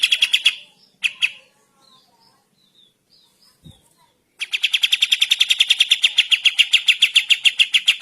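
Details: Sooty-headed bulbul in morning song: a few sharp chirps and soft scattered notes, a brief quiet gap, then a sustained fast series of ringing, harsh chips at an even rapid pace.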